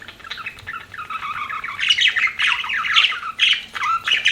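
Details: Pet budgerigar warbling: a soft run of wavering, rising and falling squeaky notes, then louder bursts of scratchy chatter and chirps from about the two-second mark.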